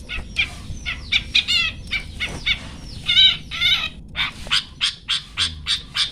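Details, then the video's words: Long-tailed shrike singing a "toet toet" style song, used as a tutor recording for songbirds to copy; a varied mix of harsh buzzy bursts, rising and falling whistles and quick chirps in rapid succession. "burung cendet toet toet"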